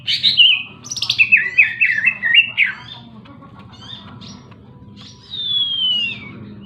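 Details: Greater green leafbird pouring out a rapid string of warbled notes for about two seconds, then a pause and a long descending whistle, against a low steady hum.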